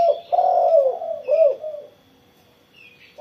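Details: Following a morning sun session, a spotted dove delivers a long, smooth coo, then a shorter rising-falling note, and goes quiet. Another coo starts at the end, and a faint high chirp appears briefly.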